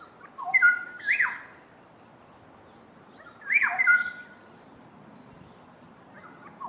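Two Black-headed Orioles duet in rich, liquid, fluty whistles with a few harsher notes, in two bursts about three seconds apart. The background is otherwise quiet.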